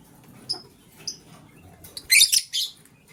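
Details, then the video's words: Lovebirds in the morning, a green one chirping while a blue one scrambles for vegetables: faint high tones early, then a cluster of harsh, shrill chirps near the end over a quiet background. "Green LoveBird Chirping Sound"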